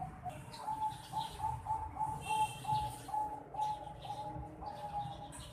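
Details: Young zebra dove, a Bangkok-type bird 4.5 months old, giving a run of short, thin, high-pitched notes in quick succession, about two or three a second, over a low background rumble.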